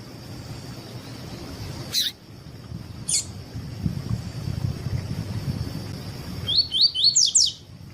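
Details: Double-collared seedeater singing the tui tui song style, used by breeders to teach and warm up other seedeaters for song tournaments: after sharp clicks and quiet background, a quick burst of about six high, slurred, down-sweeping notes near the end.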